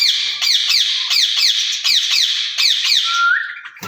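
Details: Two rose-ringed parakeets in a cage, talking to each other in Urdu and Hindi by the account; a steady train of loud, harsh screech strokes, roughly four a second, ending in a level whistled note.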